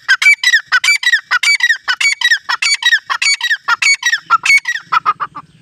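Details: Grey francolin calling in a familiar spot: loud, ringing, rhythmic phrases of sharp rising notes repeated rapidly, about two per second, ending with softer lower notes.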